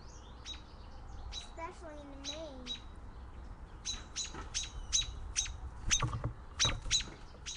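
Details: A female American robin nesting atop a porch light with eggs, upset by a neighbour's child approaching the nest, gives sharp, high peek alarm notes about once a second, growing busier; a child's voice cuts in briefly.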